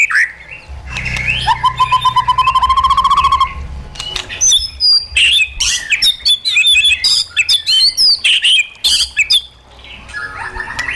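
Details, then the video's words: White-rumped shama, caged, performing wild-style song for training: a long rapid trill on a steady pitch, followed by a dense, varied torrent of sharp chips, whistles and twitters. "KÍCH CHOÈ LỬA HÓT 100%, LUYỆN CHOÈ LỬA HÓT GIỌNG RỪNG HAY MỚI NHẤT"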